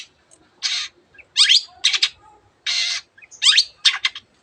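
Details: A Long-tailed shrike sings hard, scratchy phrases from its repertoire of other birds' sounds: broad harsh rasps alternating with rising squealed slurs and clipped chatters, spaced with short silences.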